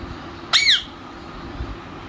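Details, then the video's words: Pet talking parrot indoors letting out one short, loud squawk that rises and then falls, with quiet room noise before and after. "My Talking parrot"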